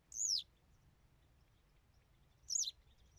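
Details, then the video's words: High, thin downward-slurred whistle from a Western yellow wagtail, then about two seconds of quiet before a second similar, slightly broken note. A soft low rumble of background noise stays throughout. "Пение жёлтой трясогузки"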